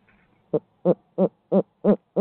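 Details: Barred owl in Midtown Tulsa, heard through a live camera feed, delivering loud, evenly spaced hollow hoots, about three per second, six in a row against near silence.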